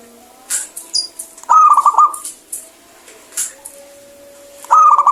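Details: Local zebra dove in lively song with a clear tone: a brisk run of pulsing, bubbly coos, then quiet broken by sharp clicks and taps, then the phrase starts again near the end.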